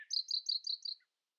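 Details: Common nightingale in early-morning song, outsinging rivals: a single quick phrase of rapid high chirped notes, about six in one second, then a short low note.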